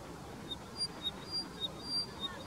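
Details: Upland pipit (Anthus sylvanus) at Ukhimath, Uttarakhand, India, in May 2016, giving thin, high, short whistled notes about every half second, faint over a soft background hiss.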